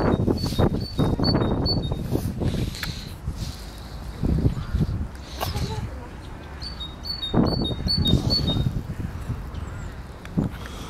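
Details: Great tit singing through loud low rumbling and handling noise: two bursts of quick, repeated two-note phrases, a higher note followed by a lower one, several seconds apart.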